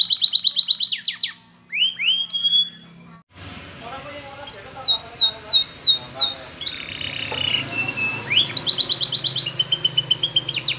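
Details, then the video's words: Canary training song: bright rapid trills and chattering rolls, then a short pause, a low background rumble, rising upslurred whistles in a quick series, and a flat buzzy note before fast rolling trills resume. "Many Canaries Sang Along After Listening To This Song"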